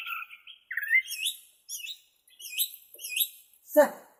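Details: Bornean white-rumped shama song of quick whistled phrases in different pitches, sliding upward, then a sharp broadband burst near the end.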